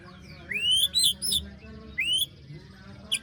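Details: White-rumped shama besetan song for prompting a bird quiet after moult: two upswept whistles with scratchy high bursts, then a brief rasp near the end.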